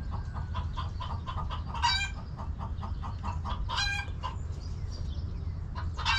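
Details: Backyard hens in a coop clucking, relaxing and eating on a homestead: steady rapid clucks repeated through the recording, with a few louder, harsher squawking clucks near two, four and six seconds over a low background hum.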